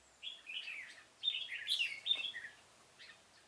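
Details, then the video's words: Caged red-whiskered bulbul decoy luring wild birds for trapping in a pomelo garden, 25 October 2017; a lively continuous warble of liquid, slurred whistles, loudest midway, then tapering off with a soft note. "Bẫy chào mào Vườn bưởi độc thung chơi sịt cả mồi"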